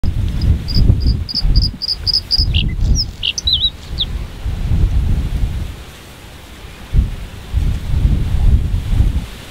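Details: White-spotted bluethroat (Luscinia svecia cyanecula) singing from the top of a giant hogweed: a quick run of high, clear repeated notes, then a few twisting whistled phrases in the first four seconds, followed by heavy gusting wind rumble.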